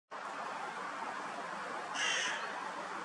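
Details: A Eurasian jay at a crow feeding spot with cat food in Munich's Botanical Garden gives a single harsh, rasping screech lasting under half a second over a steady hiss of background noise.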